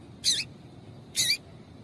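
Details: Female double-collared seedeater call, used by breeders to stir a male into singing for song tournaments: two short, sharp, high chips about a second apart over a low background hum.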